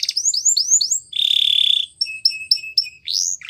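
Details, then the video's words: Canary singing a training song: rising whistled notes, a dense buzzy trill, short clear whistles repeated about four times, and a final upward sweep. "Canary Bird Singing | The Best Canary Training Song"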